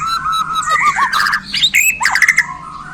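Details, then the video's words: Bornean white-rumped shama, newly acquired, sings a busy mixed phrase: warbled looping whistles, harsh chattering notes and bright high chirps in quick succession. "Murai Borneo Ini Langsung Kasih Isian Pedas"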